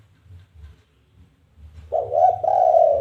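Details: Spotted dove challenge call for luring other doves: quiet low hum at first, then a loud cooing phrase near the end, a short coo running into a long held one.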